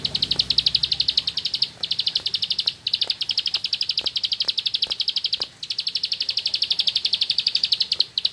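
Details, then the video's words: Bar-winged prinia (ciblek sawah) delivering sustained 'nembak ngebren' song: long, fast trills of high, sharp chirps repeated almost without pause, split into several bursts separated by brief gaps, with faint clicks behind. "Suara Burung Sawah Receh Nembak Ngebren // Ciblek Sawah"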